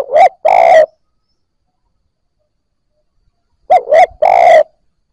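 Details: Low Spotted Dove coos from a newly caught bird starting to call. Two phrases, each of brief throaty notes and a longer burred croo, are separated by about three seconds of silence.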